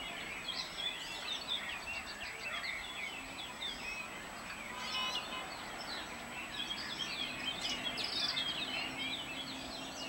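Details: A wild Atlantic canary (Serinus canaria) on Gran Canaria sings a steady, high, rapid twittering with rolling trills and chirps, seemingly from more than one bird, over a soft background hiss.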